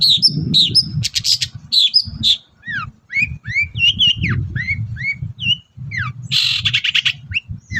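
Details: Vigorous morning song of a long-tailed shrike, used as a lure for other shrikes: varied whistled slurs, squeaky notes and a harsh burst near the end, with light low noise beneath.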